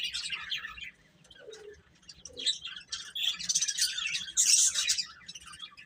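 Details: Baby chicks chirp shrilly in bursts: a lively opening flurry, a quieter gap with a few lower notes, then a rising, crowded chorus of high peeps that peaks near the end.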